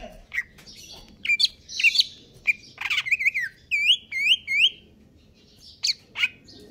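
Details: Greater green leafbird, kept in stable condition, singing a 'konslet kejer nembak' song: sharp upslurred and downslurred whistles, a buzzy rasp, then a run of four loud looping whistled notes in quick succession.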